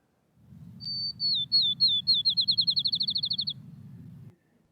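Field Sparrow song: clear, high whistled notes that start slow and speed up into a rapid trill, like a bouncing ball. Low hum underneath.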